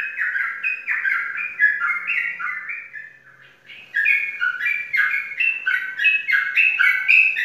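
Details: Prize-winning caged sooty-headed bulbul from Pemalang, Indonesia, pouring out rapid whistled note pairs, pausing briefly near the middle, then resuming brighter and busier with sharper, higher notes; a quiet low hum in the background.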